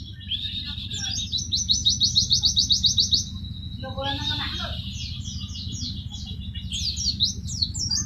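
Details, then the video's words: White-eye in an Indonesian masteran tutor recording of tembakan-style song: fast high buzzy trilled notes in rapid runs for about three seconds, then a brief pause and sharp descending chirped phrases, over a steady low hum. "MASTERAN TEMBAKAN BURUNG PLECI"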